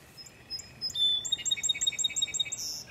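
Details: Song sparrow singing to three Border Terriers: a few spaced high whistled introductory notes, then a rapid, bright, evenly repeated trill that ends in a buzzy flourish.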